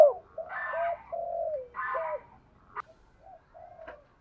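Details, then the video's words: Spotted dove song used to entice wild doves to coo. Fainter, low, level and falling coos mix with buzzy, richer, harmonic calls and two sharp clicks, over a faint low background rumble. "Tiếng chim cu gáy thúc cực đỉnh dùng kích bổi mở lên là gáy 100%"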